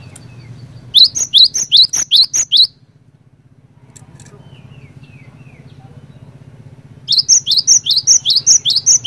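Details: Cinereous tit (glatik batu) song played as a lure for other birds: a burst of six quick, high, slurred whistles, a pause with faint softer notes, then another rapid series, all over a steady low hum.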